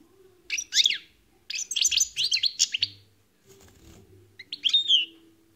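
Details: Singing European goldfinch: a lively run of sharp, sweeping chirps and liquid twittering notes, a pause, then a final bright, descending whistled phrase, over a faint background hum.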